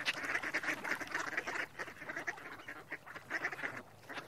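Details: Mallard quacking in loud, rasping runs of short calls, a dense burst in the first second and a half, a quieter pause, then another cluster of rough quacks near the end.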